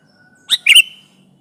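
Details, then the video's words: Sooty-headed bulbul used as a lure for trapping, singing to press a rival: a brief harsh note followed by a louder buzzy double chirp with a thin whistled tail, over faint low hum. "Suara burung kutilang gacor menekan lawan, pancingan pikat kutilang ribut & kutilang diam"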